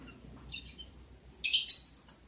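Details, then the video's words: Lovebirds on day 11 of breeding, during mating, recorded 11 July 2022: two bursts of shrill, high, harsh chirps, the second louder and made of several quick notes, over a quiet indoor background. "sound love birds Mating"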